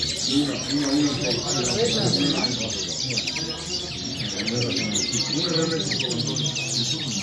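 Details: Goldfinch delivering quick repeated twitters and short upward-sweeping whistles, nearly two phrases a second, lively and uneven, while soft humming voices and a low drone sit beneath.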